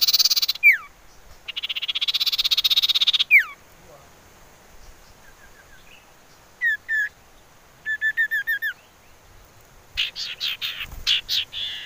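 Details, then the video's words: Common iora whistling used as a lure to draw birds and make them sing: a buzzy high trill framed by downslurred whistles, then scattered short whistled notes in small groups and a final burst of high chattering notes. "Siulan Merdu Cipoh Sirtu"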